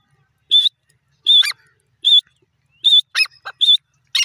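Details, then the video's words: Grey francolin calling: short, shrill whistled notes at a steady high pitch, repeated about once every 0.8 seconds, some followed by quick descending sweeps, with silence between notes. "bhora teeter ke voice,pardrige teeter bird sound"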